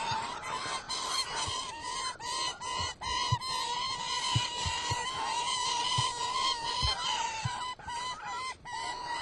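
A gyrfalcon gives harsh, grating cackles, two or three to a second, over a steady ringing tone, with sharp clicking notes throughout.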